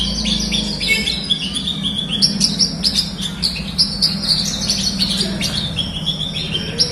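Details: Caged Horsfield's bush lark singing in a recording meant to encourage reluctant birds to sing: rapid, busy high twittering and chirped notes, continuous throughout, over a faint low hum.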